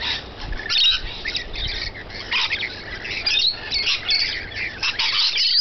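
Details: Rainbow lorikeets feeding, a near-continuous chorus of harsh, grating screeches and chatter from several birds, building louder toward the end.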